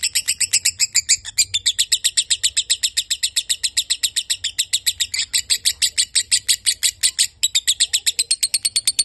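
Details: Lovebird in long-duration song: a sustained, fast series of high, piercing chirps repeated without pause across nine seconds, with one brief dip in loudness.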